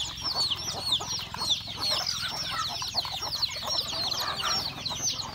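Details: Home-kept chickens at breakfast fill the air with rapid, overlapping high peeps sliding downward, many birds calling at once, over faint lower clucking and light tapping.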